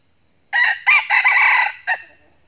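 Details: Fighting crow of a red junglefowl answering a trapped decoy in northern Vietnam: loud and rough, two short stabs, a drawn-out grating phrase, then one clipped final note, after a silent start.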